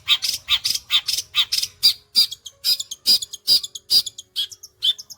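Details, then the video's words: A Long-tailed shrike gives a strong rapid song of harsh buzzy bursts, then clearer high whistled notes, delivered at an even, quick pace like a sewing machine. "CENDET GACOR MATERI TOP BOLO SPITNYA SPEK MESIN JAHIT"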